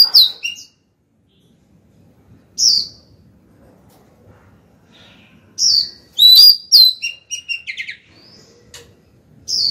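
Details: Kept female white-rumped shama calling a male with song: brief bursts of high whistled notes separated by long pauses, ending in a cluster of quick varied whistles and chirps.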